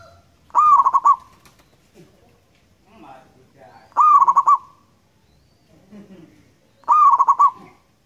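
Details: A local Indonesian zebra dove gives three loud, long, rolling coos, each a quick rising note breaking into a fast purring trill, about every three seconds, with faint background chatter between.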